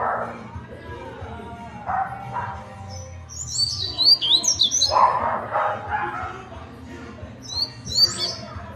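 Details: Double-collared seedeater giving a fast, clipped song: bursts of high, sharp, rapidly sliding notes in two clusters near the middle and end, over lower murmuring voice-like sounds and a steady low hum.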